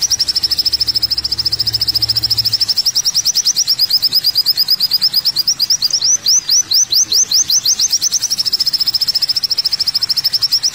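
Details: Olive-backed sunbird (kowul) song used as masteran: a sustained, very high rapid trill that slows into distinct rising chirps, then speeds back into a continuous shimmering run.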